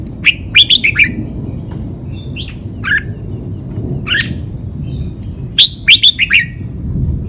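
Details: Red-whiskered bulbul, a cage bird, singing a clear five-syllable model song in the 'lak wai' master style, used for training other birds: quick bright whistled phrases of about five notes, repeated every few seconds with single notes between, over a low background hum.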